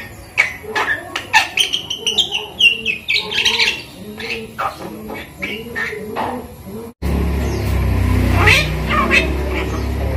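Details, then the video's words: Five-month-old pet Javan myna learning words such as a greeting and a cough, uttering rapid, rhythmic squeaky syllables over several seconds, then a louder noisy stretch with rustling and background hum. "jalak kebo umur 5 bulan belajar bicara"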